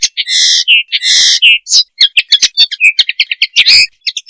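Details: Common linnet (Linaria cannabina) giving its mating call: two long buzzy nasal notes, then a fast run of varied twittering chirps and short whistles, loud and clean with no other sounds.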